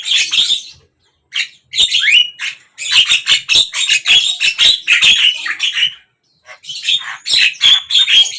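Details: Javan myna in song, recorded morning, midday or evening: loud fast series of grating, buzzy chatter mixed with short whistled slurs, interrupted by brief gaps.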